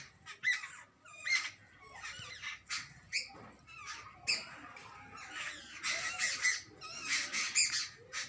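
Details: Jungle babblers, including babies, give harsh, grating squawks in irregular bursts about once a second, growing into overlapping, near-continuous chatter toward the end over a faint low rumble.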